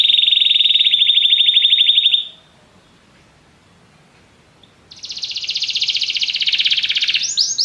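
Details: Canary giving a rapid rolling trill for two seconds, a pause of silence, then a second long buzzy trill ending in a few quick sweeping notes.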